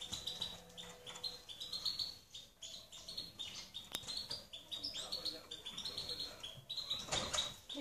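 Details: A European goldfinch delivers a dense, continuous twitter of high, liquid notes and quick trills, hardly pausing, over a steady background hum.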